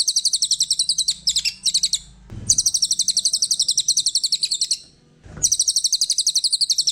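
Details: Brown cililin kept as a master song bird delivers fast, sharp, high-pitched repeated notes in extended trilled bursts, separated by short quiet gaps with dull knocking sounds.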